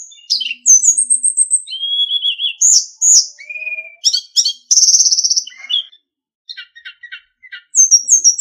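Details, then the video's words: Varied sulingan song used to train captive songbirds: high whistled slurs, a warbled mid-pitch phrase, a buzzy trill, then a quiet series of soft ticking notes before bright chirps resume. "SUARA BURUNG - Masteran Terbaik Sulingan"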